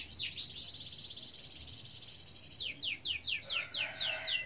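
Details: Canary song, gacor style, somewhat distant with background hiss: dense high trill followed by spaced descending sweeps, a lower tone appearing near the end.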